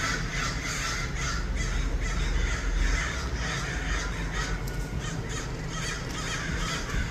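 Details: Many crows calling together in Los Angeles, a dense overlapping chorus of hoarse caws with no clear gaps, set against strong low rumbling background noise.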